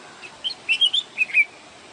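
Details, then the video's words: Bulbul song in the wild, one lively phrase of rapid, liquid whistled notes that jump up and down in pitch, delivered within about a second over a faint steady hiss. "تغريد البلبل في الطبيعة"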